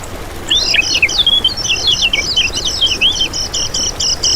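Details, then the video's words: Lemon-bellied white-eye song used as a lure and training master for other birds: high, quick twittering with rising and falling whistled notes, ending in a fast train of repeated buzzy pulses. "Masteran Kecial Kuning Untuk Pancingan n Pikat Sangat Bermanfaat Untuk Burung Kecial Gacoran Ngejos"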